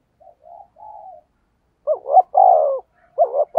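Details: Spotted dove calling 'thúc gù' to lure wild birds: faint, soft low murmurs, then a loud phrase of two clipped notes and a long hoarse coo, with another clipped pair starting at the end.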